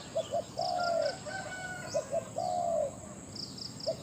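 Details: Captive decoy spotted dove calling to lure wild birds. It repeats a three-part phrase of two quick low notes and a long, gently descending coo, roughly every two seconds. Faint high twittering from other birds sits in the background.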